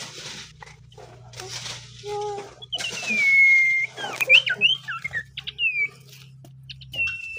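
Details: Common iora in relaxed, less vigorous song: soft rattly notes, then a long steady whistle, rapid slurred whistled notes and a final sustained whistle, over a constant low hum.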